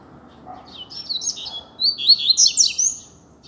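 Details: Double-collared seedeater singing freely in the street as a teaching tutor: softer high warbled notes build into a loud, quick series of sharp, descending whistles and buzzy slurs, with low background rumble.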